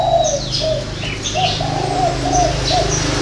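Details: Spotted dove in a Ba Vì, Hanoi dove garden giving its six-note song with a three-note ending. A steady string of low coos plays over a constant humming background, with thin chirps from other birds.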